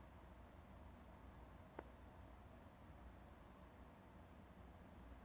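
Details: Bird heard before dawn at 4:30 am giving a monotonous 'chip...chip...chip': high, short, falling notes roughly every half second, some paired, against constant low hum and one brief click.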